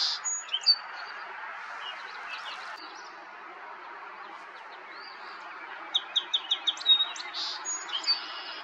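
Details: Song sparrow recorded in May in Ontario, Canada, on a Nikon Coolpix P1000; a few sharp high notes open, then after a quiet stretch a quick series of crisp repeated notes and a short trill, over steady broadband hiss.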